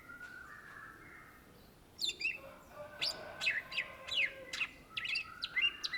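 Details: Cucak ijo, the greater green leafbird, singing vigorously: soft steady tones at first, then from two seconds a rapid run of sharp, downward-sweeping whistles and chips repeated roughly every half second.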